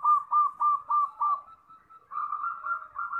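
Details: Champion local zebra dove singing: five loud, rounded cooing notes about three per second, a short quiet gap, then a softer, faster rolling trill of blended notes at the same mid pitch.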